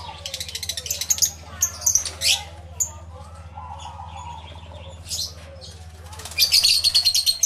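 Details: Lovebirds calling in a crowded aviary, recorded with a camera and two external microphones: quick series of sharp, high chirps, a lull with a faint lower warbling note, then a dense rattling burst of squeaky calls at the close.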